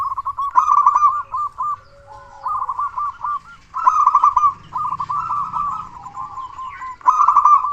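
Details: Loud local zebra dove, meant to rouse other doves into song: loud bursts of rapid trilled coos roughly every three seconds, with shorter rolling phrases and brief pauses between them.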